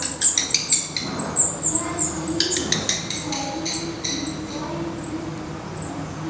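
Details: At a black redstart nest in Portugal, a burst of quick, high, squeaky notes opens the recording, then thins to single thin calls spaced about half a second apart, over faint background hiss.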